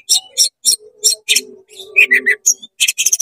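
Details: Fast-singing oriental magpie-robin, tail spread, its rapid 'konslet' song meant to rile rival magpie-robins: harsh rasping notes repeated in quick succession, then a run of three rising whistled notes and more scratchy bursts.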